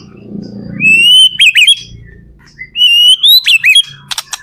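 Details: White-rumped shama singing as a lure to set other shamas singing back: two loud clear whistled phrases, each rising then breaking into quick up-down flourishes, ending in sharp clicks, over a faint low hum.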